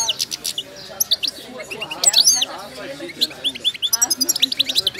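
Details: Goldfinch of the Moroccan wydani type, described as wild-caught and moulting, sings a busy stream of high chirps, curling whistles and short trills with a rapid repeated rattle near the end.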